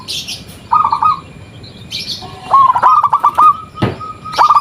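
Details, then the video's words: Lure call of a local zebra dove meant to make other doves respond. A brief trilled coo, then a longer run of staccato bubbling notes, with a sharp knock and some high chirps around. "Perkutut Lokal Gacor RAJA PIKAT Ahlinya Bikin Semua Burung Perkutut Pada Nyaut"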